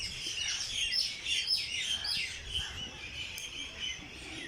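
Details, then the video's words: Early-morning birdsong at Jilani Park, Lahore: many high, quick chirps and sharp tweets from several birds, with bright whistled notes standing out near the one- and two-second marks. "Birds sings in Jilani park Lahore early morning"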